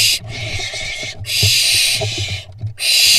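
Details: Young barn owls battle over a vole in a monitored nest in Israel in mid-June 2021. Three long, harsh, airy hisses, each about a second, are separated by short silent gaps over a faint low hum.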